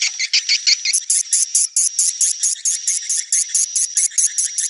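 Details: Swiftlet chirps: brief quick twitters at first, then a long, regular series of loud, clipped high notes repeated about every quarter second, with a thin tone running underneath.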